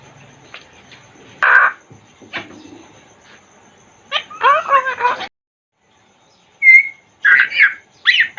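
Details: Congo African grey parrot talking inside a cage, mixing isolated squawks, a dense jumbled chatter of syllables, a short silence, then a brief pure whistle and more gravelly squawks.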